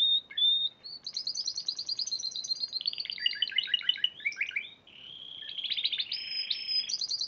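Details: Spanish Timbrado canary singing at the Piala Raja competition, where it was champion in March 2014. Whistled notes lead into fast chattering rolls, a brief lull, then long steady high trills.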